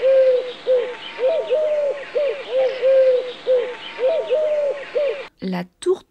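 Eurasian collared doves give soft, hollow coos in a steady run of short, overlapping notes. A brief spoken voice follows at the end.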